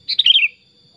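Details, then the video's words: Sooty-headed bulbul kept as a tame pet bird, singing one quick warbled phrase of four or five linked notes that slide downward in pitch, over a faint steady high whine. "Kutilang Super Gacor Suara Alami Hutan"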